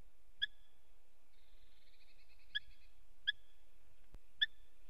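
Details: Eurasian hobby (Falco subbuteo) pair visiting a nest in Latvia on 11 August 2017 at 09:45, calling to each other while the male plays with a pine cone; four short, sharp, ringing notes spaced about a second apart, quiet background.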